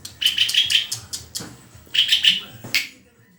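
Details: White-rumped shama (murai) singing short bursts of quick, bright chattering notes, followed by a brief pause and a final sharp note.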